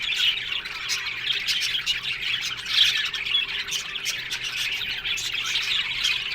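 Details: Budgie colony in an aviary, constant overlapping warbling, harsh squawks and thin whistled tweets from a crowd of birds, loudness swelling and easing.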